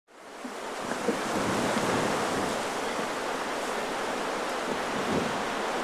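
Loud, steady wind rumble buffets the microphone like rushing surf, with no animal voice heard.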